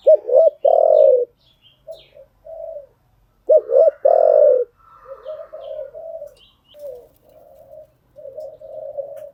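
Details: Spotted dove decoy cooing used to train newly caught birds: two loud bursts of deep, rounded coos, each a few quick notes ending in a longer drawn-out coo, followed by softer, quieter cooing phrases.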